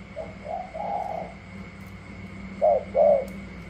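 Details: Spotted dove contest in Cà Mau, Vietnam, a wild-caught bird challenging other doves: soft, distant coos early on, then two louder, closer coo notes near the end, over a low hum.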